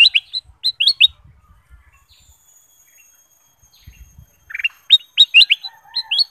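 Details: Kutilang emas bulbul used as a singing lure: repeated short bright chirped phrases in quick groups, a quiet gap of about three seconds, then a lower slurred note and fresh runs of lively whistles.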